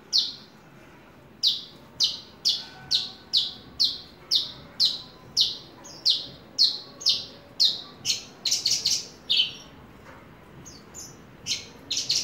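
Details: Horsfield's bush lark kept as a hobby bird, giving a steady series of about twenty sharp, high downslurred chirps roughly every half second, closing with a quick cluster of brighter notes over faint low background hum.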